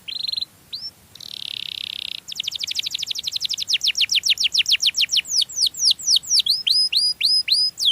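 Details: Melodious canary song meant to draw in others of its kind: brief whistles and a buzzy roll, then a long accelerating series of high down-sweeps turning into looping whistled notes.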